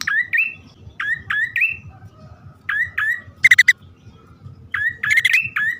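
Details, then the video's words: Bar-winged prinia pair, male and female, recorded as lure sound: spaced pairs of upslurred whistles about once a second, with two short harsh buzzing bursts, faint low background rumble. "suara pikat prenjak poci/hutan jantan dan betina memanggil jitu"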